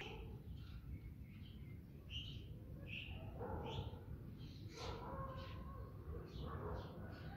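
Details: Several house sparrows (Passer domesticus) feeding give short, bright chirps in loose, irregular bursts, overlapping, over a steady low rumble of background noise.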